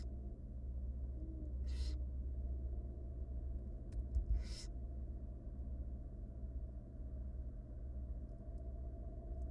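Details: Two separate raspy, snoring hisses from wild barn owl nestlings, three hungry chicks fed by their mother in a monitored nest box, spaced about three seconds apart with soft knocks and a steady low hum.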